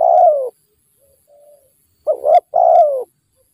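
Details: Wild spotted dove, aggressive toward a decoy bird during trapping, calls a long falling coo and a quiet murmur. A quick double note and another long descending coo follow.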